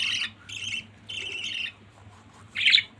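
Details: Budgerigar family giving three drawn-out buzzy chirps, then a short, sharp squawk after a pause, against a quiet low hum.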